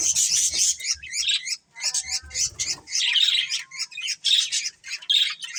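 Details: Colourful budgerigars keep up a lively, high-pitched chirping chorus of buzzy twitters and squeaks in rapid bursts, with a short stretch of softer, lower warbled notes partway through.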